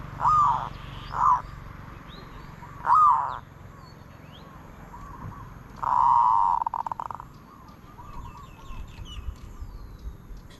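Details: Zebra dove singing: three short arched cooing notes, then a sustained buzzy note ending in rapid stuttering pulses, with soft low background noise.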